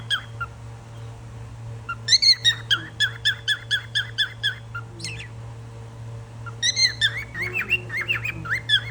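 A cockatiel gives bright, repeated chirps in two quick bursts over a steady low hum.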